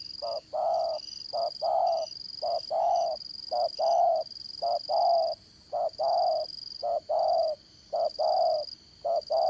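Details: Caged spotted dove kept as a trapping decoy, Đồng Son voice, dán cổ trapping: about nine two-part cooing phrases in steady succession, a clipped note then a longer hoarse coo, with a constant high-pitched whine behind.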